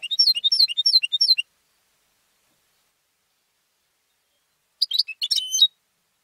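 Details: Home-bred contest goldfinch delivering a rapid rolling trill of repeated twittering notes for over a second, then after silence a jangling chip-and-whistle phrase.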